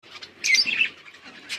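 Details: Budgerigars enjoying winter rain, a short burst of bright warbling chirps in the middle, with faint chatter before and after.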